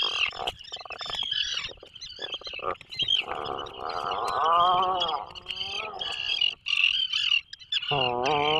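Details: Breeding Atlantic puffins inside a burrow on an island off Maine: stuttering pulsed bursts, then a long rattling groan with rising and falling contours, and a final low rising moan, over a persistent high hiss.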